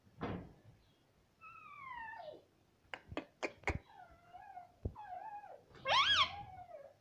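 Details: Pet ringneck parrot indoors making varied sounds: sliding tonal whistles that fall in pitch, a run of sharp clicks, then a loud harsh screech, over a quiet room background.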